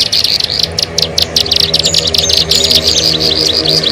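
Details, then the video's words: Bar-winged prinia lure call: short bursts of high, sharp chirps in quick succession, with some thin whistled notes above and a steady low hum beneath. "SUARA MP3 PIKAT BURUNG CIBLEK SAWAH"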